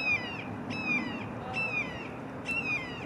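A young Red-shouldered Hawk gives four high, harsh, downslurred squeals in about three seconds, one roughly every 0.8 seconds, over a soft background hiss.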